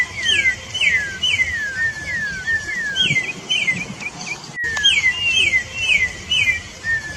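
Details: Wild song of the orange-backed troupial, used for teaching young and adult birds: bright, falling whistled notes delivered in quick series of three to five, some drawn into longer slurs, with one abrupt break late on.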